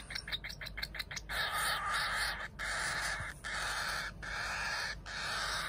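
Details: Cockatiel chicks, a pair of captive siblings, begging while being hand-fed formula: a burst of rapid high peeps opens, followed by drawn-out hoarse, hissing cries broken by brief gaps about once a second.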